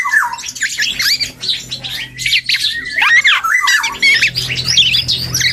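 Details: Juvenile black-and-yellow oriole practising its song: a dense jumble of chattering, harsh squawks and wavering whistled slurs, continuous and busy, over a low hum.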